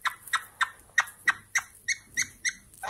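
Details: Rose-ringed parakeet; female call; female signalling readiness to mate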